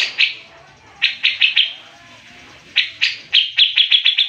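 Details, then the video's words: Grey-cheeked bulbul giving 'gacor mbeset ngepik' song for use as masteran tutoring in Indonesia: scattered loud sharp notes in small groups with pauses, finishing in a quicker run of ringing chips. "Cucak Jenggot Gacor Mbeset Ngepik Speed Rapat"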